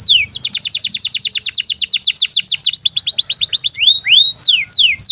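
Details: Canary in breeding condition, song used to train young birds: long fast trill of descending whistled sweeps, about six a second, then a few slower rising and falling slurred notes.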